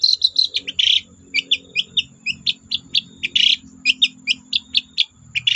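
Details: Long-tailed shrike in lively song, meant to set other shrikes singing: steady chains of short sharp high notes mixed with a few scratchy bursts, over a faint low background hum.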